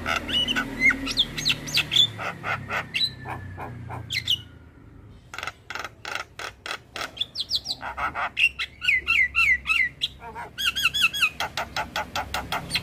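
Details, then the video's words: Javan myna song for training captive birds: long series of rapid dry clicking pulses, about three per second overall, with sections of repeated looping whistles, a brief pause midway. "Semua Jalak LAngsung Respon Dengar MAsteran Jalak Kebo Full isian - MAsteran Jalak gacor"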